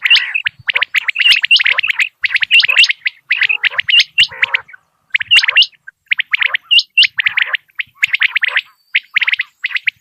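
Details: Common quail recording from Dera Ghazi Khan used for quail shooting. Fast, clipped high chirps packed in steady bursts, a few throaty gurgles between them, calling continuously with short breaks.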